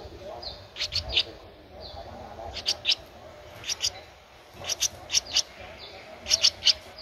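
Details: Streak-eared Bulbul nestling aged 13 days, Ubon Ratchathani, Thailand, 15 April 2023; sharp, high, scratchy chirps in short bursts of two to four, spaced irregularly across the seconds, over a faint steady hum.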